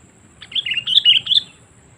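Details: Sooty-headed bulbul giving a lure call to pull in wild birds: a lively one-second string of rapid bubbly chirps, close and clear.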